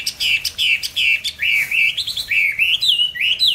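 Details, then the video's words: Songbird kept caged, bought 19 May 2020, fed steadily and singing at any hour. Short sharp chirps lead into a brisk warble of fluid, wavering whistled phrases broken by brief gaps. "cám ổn định hót mọi địa hình ,mọi giờ giấc"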